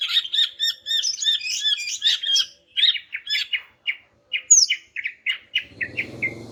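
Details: Female greater green leafbird, offered to make silent males answer, repeats a rhythmic chattering motif several times a second, then a high slurred whistle and a run of falling chirps, with rustling at the end.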